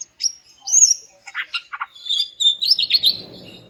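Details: Greater green leafbird, a female calling to stir males into song, utters a high whistle, clipped buzzy notes, then a rapid run of bright chirps, with faint rustling noise near the end.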